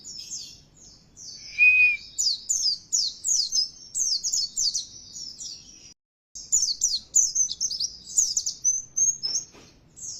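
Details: Oriental white-eye lure song intended to push a kept bird into loud, persistent singing: long runs of rapid high chirps and twitters, one brief lower whistle early, a short break midway.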